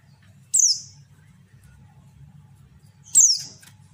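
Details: Two loud, high descending chirps about two and a half seconds apart from a female white-eye, the call used to attract males and make them respond; steady low hum beneath.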